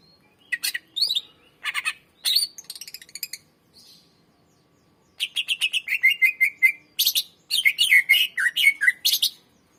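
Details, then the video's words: Greater green leafbird song used to lure and train other birds: scattered harsh buzzy bursts and short whistles, a brief gap, then a long rapid stream of chattering notes and looping whistled slurs. "SUARA BURUNG CUCAK IJO MASTER GACOR FULL SUARA PANJANG .COCOK PANCINGAN BURUNG BAHAN"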